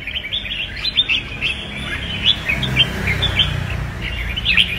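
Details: Red-whiskered bulbul fighting song used for training caged singers: steady run of thin chirps and brief whistled phrases, some sharper rising notes near the end, over a low rumbling background.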